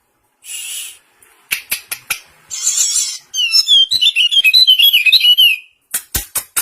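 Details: Common iora in a pleci versus serkel singing contest; hissing bursts and sharp clicks lead into a rapid, rolling series of whistled, trilled notes, followed by more clicks.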